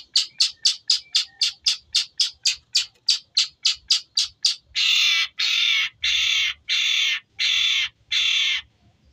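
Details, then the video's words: Long-tailed shrike giving Tengkek Buto material: about seventeen quick sharp notes in a rapid even series, then six loud, harsh, drawn-out rasping calls spaced roughly every seven-tenths of a second. "suara kicau cendet materi Tengkek Buto panjang"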